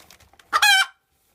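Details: Kept Cochin bantam hen after laying an egg: soft muttering clucks lead into one loud, harsh, rasping squawk lasting under half a second, then silence.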